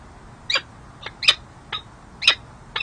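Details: Female peregrine falcon flirting with her mate at a San Jose City Hall nest ledge, California, 13 January 2024: six sharp, harsh, raspy notes in under three seconds, spaced about half a second apart, over a faint low hum.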